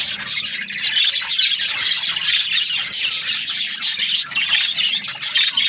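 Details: Budgerigars chatter in the morning with non-stop high, scratchy chirping and warbling from several birds, loud and even throughout.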